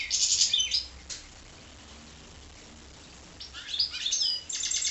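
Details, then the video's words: Goldfinch × canary hybrid producing a brief burst of high twittering and trilled notes, a pause of about two seconds, then another busy, rising run of chirps. "goldfinch x canary"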